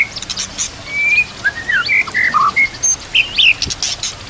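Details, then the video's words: White-rumped shama song used as a training recording, set against nature sounds and trickling water; scattered clear whistled notes and short slurred phrases, with brief high chips between them. "MASTERAN MURAI BATU ISIAN komplit"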